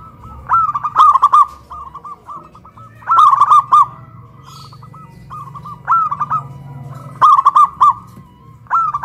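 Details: Zebra doves in a duet of big and crystal voices, local birds caged high on a pole in Kuningan, West Java, Indonesia: bright bursts of quick coos alternate with softer, thinner phrases, repeated through the recording.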